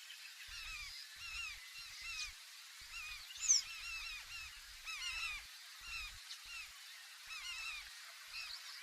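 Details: Large-billed terns calling, recorded from a canoe swinging on the waves. Many birds call together in a steady tangle of short, curved, honking notes, with one piercing high note midway and dull bumps of water against the hull.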